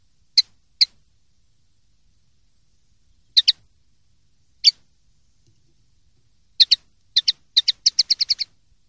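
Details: Common linnet, 'limpio' (clean) song style: scattered paired chips with long pauses, building to a quick run of about seven crisp notes at the end.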